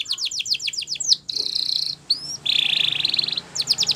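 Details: Spanish Timbrado canary song meant for training other canaries: rapid descending chip series, dense buzzy rolls, a rising whistle, then more quick repeated notes, all high-pitched with a steady low hum beneath.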